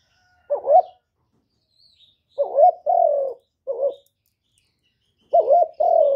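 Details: Spotted dove giving irregular coo phrases, with a short wavering note then a longer hoot that falls slightly. There are long silent gaps between phrases and faint high chirps from other birds.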